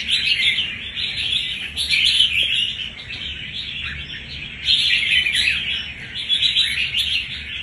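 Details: Wild-caught red-whiskered bulbul, held about a month, displaying tenacity and fighting spirit; steady mass of high chirps and warbled phrases, with stronger bursts near the start and again after a quieter stretch.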